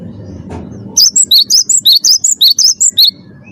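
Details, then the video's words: Cinereous tit of the wingko type, a champion bird singing loudly to stimulate other caged birds: a rapid series of about twelve bright, high, wavering whistled notes lasting two seconds, after low background murmur. "gelatik batu wingko gacor juara satu pancing bunyi gacor"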